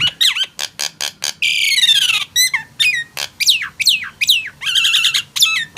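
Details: Nias hill myna with loud clipped notes, a long harsh rasping squawk lasting nearly a second, then bright looping whistles and rough chattering calls in quick succession.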